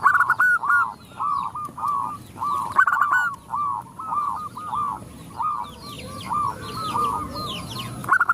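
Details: A female zebra dove calling males sets off the others: a nearly continuous chain of short, clipped notes, loud at first and fading later, with scattered high chirps from smaller birds.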